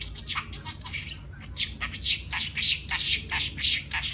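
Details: Pet budgerigar talking in a rapid run of scratchy, squawky bursts, about three per second, with buzzy, chattering syllables that vary in length and rise and fall in loudness.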